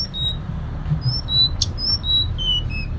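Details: A female Sunda robin calls to a male, used to lure males and stir them into singing: a series of thin, pure, very high whistles, each short and level or gently falling, spaced about a third of a second apart over a steady low hum.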